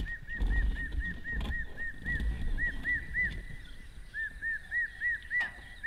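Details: Hamerkop of Africa calling with a long steady run of short, arched, nasal notes at a middle pitch, roughly three per second, over rumbling low background noise and a few clicks.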